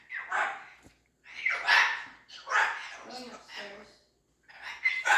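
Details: Female pet cockatoo making strange, eerie noises: four harsh, raspy bursts about a second long, separated by short silences, with breathy hiss-like texture and brief whistled tones inside.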